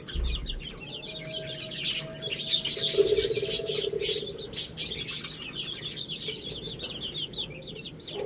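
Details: Young chicks at a rice meal chirp in quick high bursts, becoming a rapid overlapping peeping chorus in the second half, with pecking clicks and a brief low thump.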